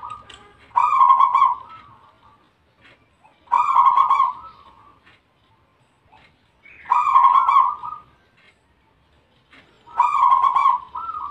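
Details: Bangkok-type zebra dove in full voice: four loud, rolling cooing phrases, each a purring trill with a softer tail, spaced about three seconds apart with quiet gaps between.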